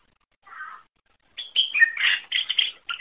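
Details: Greater green leafbird: a soft low warble, then a loud burst of harsh chatters and whistles in a rapid series; a tutor recording for songbirds.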